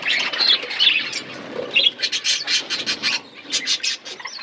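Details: Caged budgerigars chirping in an aviary set in a forest environment: scattered warbling chirps at first, then a run of short, evenly spaced chirps in quick succession, with soft rustling between.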